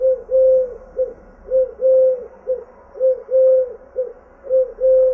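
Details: A singing dove gives low, soft hooting coos in a repeated short-long-short pattern, each phrase about a second apart.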